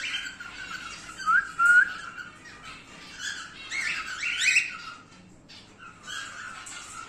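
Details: Emerald split male cockatiel in a small room: short scratchy chirps and squawks in irregular bursts, with a brief whistle, separated by quieter gaps.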